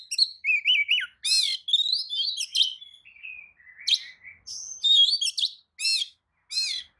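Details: White-rumped shama song used as a lure to provoke other shamas into answering: varied loud whistles, warbled phrases and harsh rasping bursts, changing quickly with short gaps.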